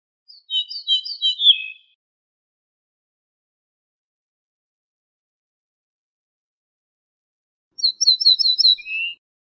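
Two short ortolan bunting phrases about six seconds apart, each a quick run of ringing, repeated notes that drops to a lower closing note. Nothing else is heard.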